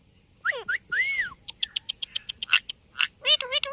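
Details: Ringneck parrot talking in quick, arched, speech-like syllables, followed by a rapid series of clicks and a few rough, wavering phrases.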